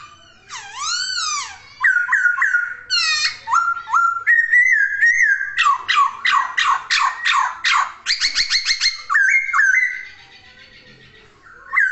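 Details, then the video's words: Laughingthrush (poksay) singing energetically, opening with sweeping whistled arcs, then varied ringing notes in rapid bursts and a fast run of sharp descending whistles, ending in softer chatter. "Kicauan Poksay Gacor!"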